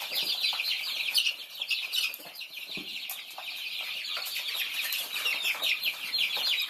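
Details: Feeding Thai chicks keep up steady high-pitched peeping, many short falling cheeps layered over one another, plus a few soft flutters and knocks.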